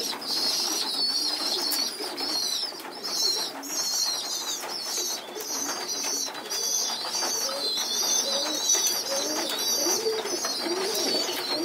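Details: Group feeding of pigeon youngsters on a loft floor: repeated short shrill squeals in quick succession, fluttering and rustling sounds, and soft low cooing notes throughout.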